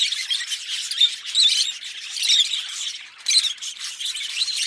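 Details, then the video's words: A green pair of Fischer's lovebirds chattering together, a steady stream of shrill squeaky chirps and rasping notes, briefly pausing near the three-second mark before resuming. "Lovebird Singing & Chirping Sounds - Green Fischer Pair"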